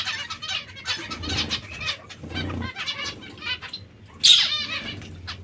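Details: Zebra finch breeding pairs: a busy run of nasal, harmonic beeping notes from overlapping birds, one loud sharp call near the end, and low rustling and fluttering in the background.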